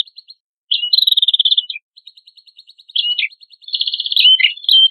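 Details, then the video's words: Prenjak kepala merah in lively, full song used as training material for songbirds: rapid dry ticking series alternating with buzzy high trills and sharp down-slurred notes, clean with no background sound. "MASTERAN PRENJAK KEPALA MERAH GACOR"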